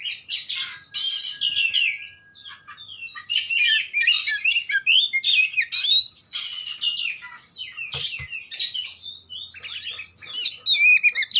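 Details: Oriental magpie-robin in full song: a rich, varied stream of high whistles, chirps, trills and harsh squawky notes, delivered in rapid bursts with brief pauses, bright and loud, over a quiet background.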